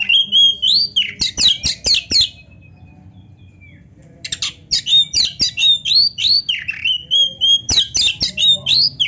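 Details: Oriental magpie-robin (kacer) in full 'gacor' song rich in 'isian' fill notes: loud bursts of varied whistles, sharp downslurred chirps and rapid trilled notes, delivered in two long phrases broken by a near-silent pause of about two seconds.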